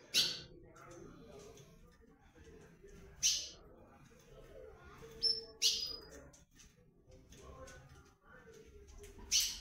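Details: Blue-black grosbeak of the comanche song style, calling as the breeding season arrives: sharp, high chirped notes spaced a few seconds apart, with a low background murmur indoors.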